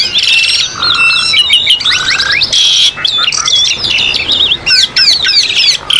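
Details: Asian pied starling song used as a training track for caged birds, set in a mountain nature atmosphere: high squawky notes, rising whistled slurs and rapid chattering phrases, densely packed and overlapping, with brief pauses between bursts.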